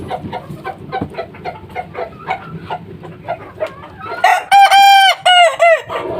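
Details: A kukuak balenggek chick of three months crows: a run of regular short clucks leads into a strong crow of several chained, slightly falling segments lasting under two seconds, followed by a final short note.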